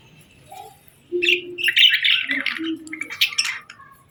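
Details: Budgerigars, described as happy parakeets, chirping cheerfully: scattered warbled chirps and chattering notes from about one second onward, with a few lower tonal notes beneath.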